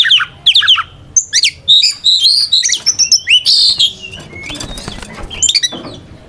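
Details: White-rumped shama singing a provoking fight song to draw other shamas into answering: quick descending notes, then dense high warbles and chatters, fading into softer scattered chips.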